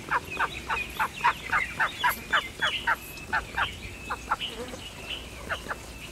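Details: A mallard, possibly a female (hen), gives a fast run of harsh, nasal quacks, about three or four a second, which turns looser and more broken toward the end.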